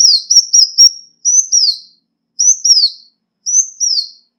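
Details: Loud Ruby-cheeked sunbird lure call: a quick cluster of high chips, then double downslurred thin whistles repeated three times.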